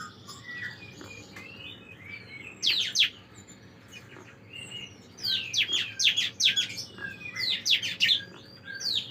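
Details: Bar-winged prinia song serving as a master recording for training songbirds: soft thin whistles at first, then quick bursts of piercing, steeply falling chirps in clusters, with low background hum.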